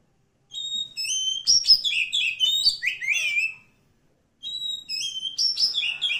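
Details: Forest-dwelling wild magpie-robin singing: clean steady whistles open into a fast jumble of descending, slurred notes, then a pause and a fresh whistled phrase.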